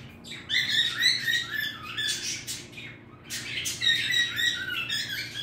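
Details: A pet bird sings a quick run of chirpy, harmonic whistles and scratchy notes, pausing briefly near the middle before resuming with rising and falling phrases.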